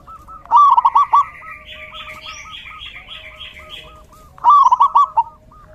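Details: Zebra dove cooing during the rainy season: two bursts of rapid clipped coos with soft single notes between, while another bird chatters in a higher, buzzy series in the background.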